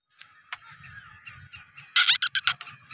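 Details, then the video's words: Black francolin gives a loud, harsh burst of four or five rapid, scratchy notes near the end, after a quiet stretch of faint background sound. "Black Francolin Voices I Kala Teetar I Kala tetar voice"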